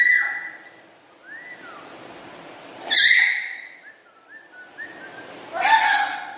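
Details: Caged pet black-capped lory chattering: shrill bursts spaced about three seconds apart, with soft upslurred and downslurred whistles between them.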